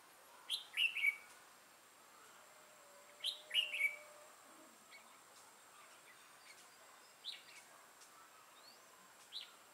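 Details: Trapping decoy red-whiskered bulbul, a 'mào lân'-crested bird with a dark bib, 6 November 2018. Two crisp, quick three-note warbled phrases about three seconds apart, then scattered faint chirps and a soft distant whistle.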